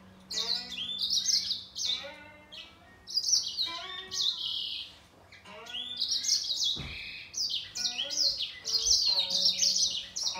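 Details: A grey singer finch and a green singer sing against each other in bursts of bright, quick warbling separated by brief pauses, with one lower buzzy note partway through.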